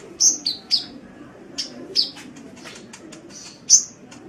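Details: Sunbird chirping on a masteran training track for songbirds: sharp, high-pitched notes, some sliding downward, scattered unevenly across about four seconds, with a faint low hum underneath.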